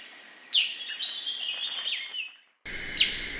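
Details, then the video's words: Black-crested bulbul giving a few quick, slurred whistled notes that dip and rise, over a steady high-pitched hiss; the recording cuts abruptly midway. "Chào mào vàng đầu đen chim bulbul"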